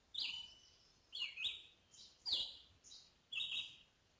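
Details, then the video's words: Red-eyed Vireo singing in mature Ozark forest in spring: short, clipped whistled phrases, each rising or dipping, given about once a second with brief pauses, as if answering its own questions. "Its song is a series of short deliberate phrases rising and falling in pitch"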